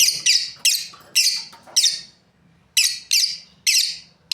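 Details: Sharp, squealing chirps from a breeding pair of lovebirds, roughly eight falling screeches in quick succession with a brief lull in the middle.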